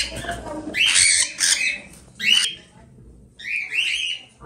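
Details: Young cockatiel chicks in captivity in Pabna, calling once they are old enough that males and females can be told apart for pairing. Harsh, raspy squawks come in four bursts, some doubled, across a few seconds.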